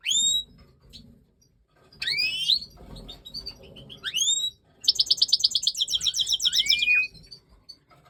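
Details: European goldfinch of the Major form at breeding time: high upward-swept whistles, then a fast liquid run of repeated bright twittering notes ending in a slurred downward call, over faint low rumble.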